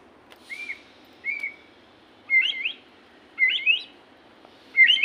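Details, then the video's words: White-rumped shama singing 'gacor': short, quiet whistled phrases, each a rising slur with a twisting flourish, repeated roughly every second over low background hiss. "burung murai gacor"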